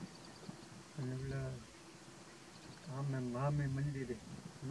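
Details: Close-range Greylag geese at Little Rann of Kutch, Gujarat, India, January 2020, giving two drawn-out, low, buzzy honks, the second longer and wavering, with soft rural background hiss.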